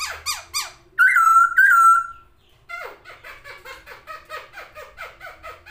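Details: Masked laughingthrush, wings spread, in full song: a few sharp descending notes, two long loud wavering whistles, then a steady run of dry rasping chatter notes.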